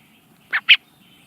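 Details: Young common blackbird in the Netherlands calling toward the camera: two short, harsh chirps close together, the second louder, against a quiet background.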